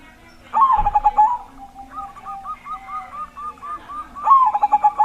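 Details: Big-voiced zebra dove sung to set silent doves singing: a throbbing stuttered coo phrase, then a long even series of short clipped notes, ending in another rolling phrase with a trailing coo.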